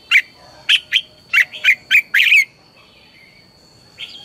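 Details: Morning training song of a red-whiskered bulbul, recorded as a lure call for teaching caged birds: a rapid series of seven loud clipped whistled notes, then a quiet pause with a faint note at the end and a steady background hum.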